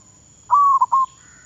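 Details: Brief perkutut phrase from a zebra dove decoy bird training in Thailand, a steady whistled coo breaking into two quick notes, followed by a faint higher bird call at the end.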